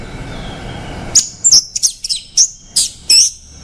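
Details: Song of the orange-headed thrush, a short burst of very high, thin whistled notes and sharp chirps following a second of near silence, phrases spaced unevenly.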